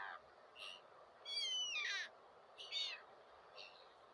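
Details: Gulls call in an overlapping cluster: longer descending harmonic wails mixed with shorter cries, loud in the middle and tapering to softer notes, over steady background noise.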